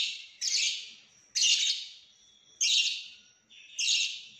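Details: Cililin lovebird in konslet style, full isian: four loud, harsh, buzzy bursts about one second apart, each starting abruptly and fading, shrill and high with a thin whistle between.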